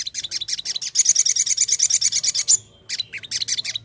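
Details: Crimson sunbird call used to lure other birds: rapid, high, scratchy 'cret cret' chirps in a steady run, about three per second, broken by a short pause before resuming.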